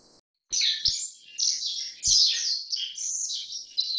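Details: High, rapid chirps and buzzy, wavering notes from a Black-faced bunting, Emberiza spodocephala, begin after a short silence and continue almost unbroken. A couple of low thumps are heard.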